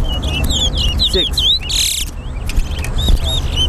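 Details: Chestnut-bellied seed finches in a singing race between two birds at Harbour Bridge, Guyana. Quick, sweet, slurred whistles rise and fall while a man counts aloud, with music and background noise.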